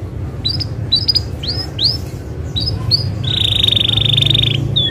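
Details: Isabel canary singing continuously to prompt other canaries into song: a series of clear, down-slurred whistled notes, then a long, steady buzzing trill held for over a second, with a low hum beneath.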